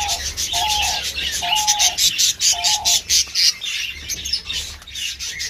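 A male diamond dove gives soft, level mid-pitched coos about once a second, over a dense wash of high twittering from other cage birds.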